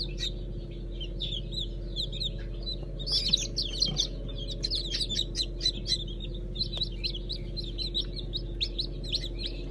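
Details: Fresh hatch of Brahma, Fizan and Habeş chickens, 15 June 2019: sparse peeps at first, then a busier run of sharp, high chirps from many chicks over a persistent low hum.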